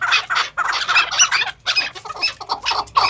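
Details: Captive chukar partridges, first- and second-cross maskati chakor kept as breeding pairs on a farm, giving harsh chattering calls in quick bursts with brief pauses between groups of notes.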